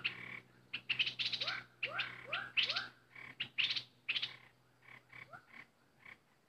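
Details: Bulbul decoy in full voice: high chirped notes mixed with repeated rising slurred whistles in a regular sequence, fading to sparser clipped calls near the end.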